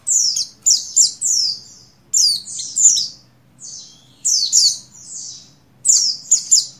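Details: Female Oriental white-eye of the buxtoni race, in breeding condition, calling a male. Rapid runs of piercing, downward-slurred chirps come in close succession, with brief pauses between the groups.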